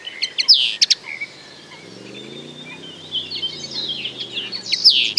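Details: Common linnet song with short chirps and downslurred notes at either end and soft twittering in the middle, over a faint low hum.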